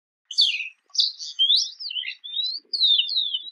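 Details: Jungle babbler giving a run of harsh, squeaky chirps, several slurring downward and others rising, in quick bursts with short pauses between them, against a quiet background.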